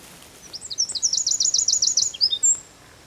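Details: Eurasian wren singing at San Miguel de Daño, Zamudio, 4 December 2019: a loud, high-pitched trill of about a dozen quick zigzag notes, then a couple of short chirps and a final thin whistle.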